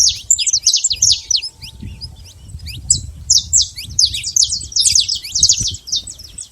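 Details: Saffron finch in the wild with dense, rapid high chirps and twitters in two bursts, over a noticeable low rumbling background.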